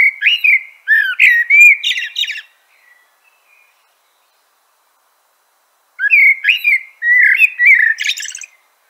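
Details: Common blackbird song in two bursts: clear fluted notes leading into a harsh, rapid high twittering flourish, with a pause of about three seconds between them.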